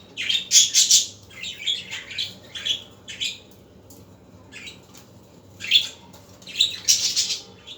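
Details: Afternoon budgerigar chatter: loud raspy squawks and chirpy twitters in uneven bursts, with quieter gaps in the middle and a steady low background hum.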